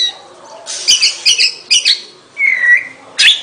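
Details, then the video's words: Oriental magpie-robin singing: short bursts of bright chirping notes around two clicks each, then a clear sustained whistle that dips slightly, followed by a sharp high note at the end; quiet background otherwise. "เสียงนกกางเขน ร้องชัดเสียงชัด 2020 Oriental magpie robin"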